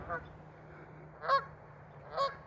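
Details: Geese honking outdoors at dusk: three short, nasal honks spaced roughly a second apart, the last two loudest, over a faint low hum.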